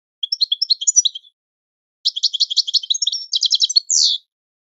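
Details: Goldfinch training song for teaching birds: a short twitter, then a longer phrase of rapid ticking trills that ends in a loud, downslurred buzzy note.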